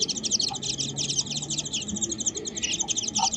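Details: Warbling white-eye encountered on a birdwatching walk, giving a dense run of thin, high twittering notes with hardly a pause, plus a faint low hum underneath.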